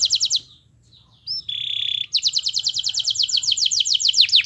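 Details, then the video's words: Canary giving a master song to prompt others to sing: brief trill, a pause, a rising whistle and flat sustained tone, then a long fast series of repeated sharp notes over low hum. "MASTERAN KENARI GACOR Yang Lain Agar Ikut GACOR"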